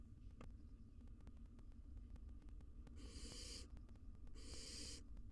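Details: Wild barn owls, a mother and her fledgling fighting in a monitored nest box: two harsh, noisy hissing screeches, each lasting just over half a second and about a second apart, over a steady low hum.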